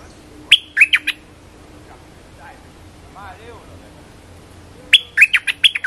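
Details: Caged bulbul used for luring, excited and jumping at its cage: two bursts of rapid, sharp chirped notes, three to four at the start and six at the end, separated by a quiet gap with faint soft sounds.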